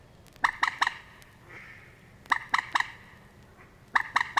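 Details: Moorhen calling in the reed beds of Matsalu: short bursts of three or four harsh, clucking notes, each group separated by about a second and a half of quiet.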